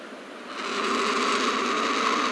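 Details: Turkey vulture (Cathartes aura), which lacks syrinx muscles to modulate its voice, gives a low, breathy hiss that swells in after a brief pause and holds steady as a rough, airy rush to the end; it can also grunt.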